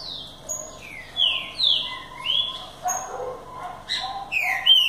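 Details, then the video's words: BDSCB-style song of a green-winged saltator, a run of bright whistled slurs, some falling and some rising, delivered in quick succession with brief gaps between phrases. "BDSCB cantando com estilo"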